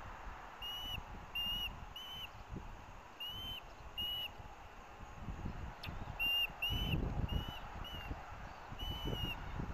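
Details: Osprey nest at Hellgate, Missoula, Montana, 18 August 2024: two chicks vie for fish brought by the adults. High whistled chirps repeat roughly every half second in loose bursts, over steady low-pitched wind and background rumble.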